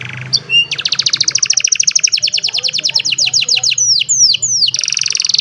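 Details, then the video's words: Old canary singing on a sunny morning, phone-recorded: a long fast trill of rapid high notes, then three slurred descending whistles and a final burst, with faint low hum beneath. "The Beautiful Sound of an Old Canary, in a Sunny Morning"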